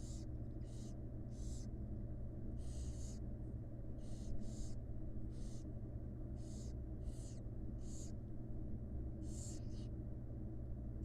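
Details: A rapid run of about fourteen short, harsh hisses from wild barn owl chicks begging as the mother feeds them in a studied nest box, some overlapping from several chicks, over a low steady hum.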